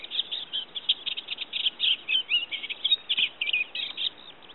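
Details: Olivaceous warbler singing at Kalloni Saltpans on Lesvos in May 2010: a continuous scratchy, chattering warble of quick, jumbled notes that runs without a break through the whole stretch, over a soft background hiss.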